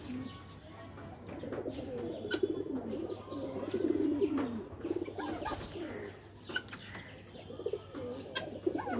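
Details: Pigeons in a loft, a dense chorus of low, warbling, overlapping coos that rise and fall continuously, with scattered sharp clicks and wing noises and a steady low hum throughout.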